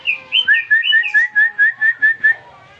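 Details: Greater green leafbird, freshly bought and kept caged, breaking into song once whistled at: a few high, looping notes give way to a steady string of short, clear, upslurred whistles, about five per second.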